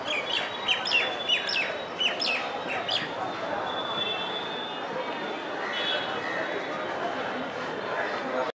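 A common myna gives a quick run of sharp, squeaky chirps and chattering notes over the first three seconds, then calls more softly against a steady hum of distant voices.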